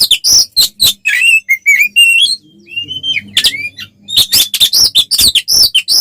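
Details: Oriental magpie-robin (kacer) singing combatively to provoke rivals: clear slurred whistles and warbling phrases, then a fast series of sharp, harsh chattering notes.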